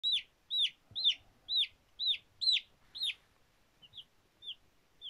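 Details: Baby chicks playing, peeping loudly in high, sharply falling chirps repeated about twice a second, seven strong notes then softer, shorter peeps near the end; quiet background.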